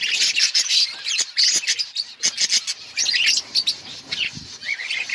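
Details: Outdoor colony of budgerigars, many birds at once producing a bright, scratchy chatter of high chirps and warbles, loud and continuous with brief dips.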